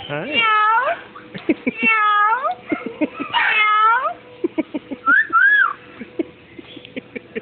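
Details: Captive parrot at a pet store, mimicking "here kitty kitty": rising, whistled, voice-like phrases repeated in rapid bursts with harmonics, mixed with clicks and short squeaks near the end.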